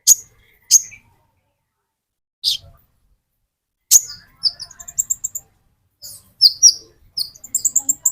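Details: Olive-backed sunbird, called a metallic konin and used as a lure for green konin: sharp high chirps, then quick bursts of thin, very high notes in short broken runs.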